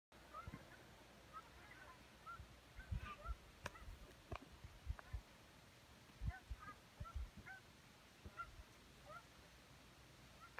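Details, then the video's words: A couple of geese flying by, giving distant, repeated nasal honks in loose pairs and short series throughout, fairly faint, with scattered low thumps and knocks in the background. "Couple of geese flying by"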